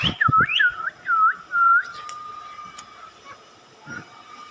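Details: Parrot chirping, a run of four clear whistled notes, each dipping then rising in a U shape, about two per second, after a few sharp clicks; a steady electrical hum runs throughout.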